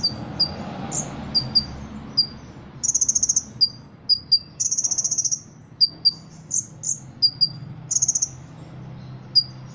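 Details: A caged Ruby-cheeked sunbird, a Cililin contest bird, alternates high sharp chips and slurred whistles with several cricket-like buzzy trills, each burst under a second long, against a soft low hum.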